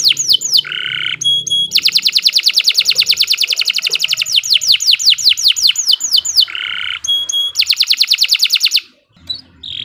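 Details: Canary in continuous song: descending sweeps, a buzzy harsh note, long fast metallic trills broken by runs of quick sweeping notes, a second buzzy phrase, then more trilling.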